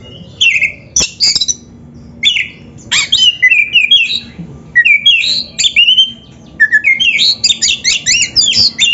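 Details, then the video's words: Oriental magpie-robin (kacer) singing hard, a training recording to make captive birds sing and spread their tails; clusters of sweet slurred whistles and sharp notes, ending in a fast chattering, tumbling run. "PANCINGAN SUARA KACER GACOR untuk latihan‼️100% ampuh bikin KACER NARUNG BUKA EKOR DIGANTANGAN"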